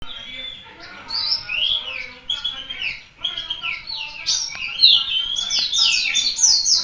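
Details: Indonesian white-eye (pleci, mata puteh) of the local Malang type, singing persistently: rapid, high twittering song of thin slurred notes and sweeping whistles, building louder and denser toward the end.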